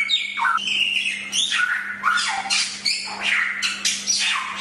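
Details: Samyong, the Chinese hwamei, singing for a tutor recording: a rapid run of clear falling whistles mixed with rasping squawky notes, continuous and loud, with a faint steady low hum beneath.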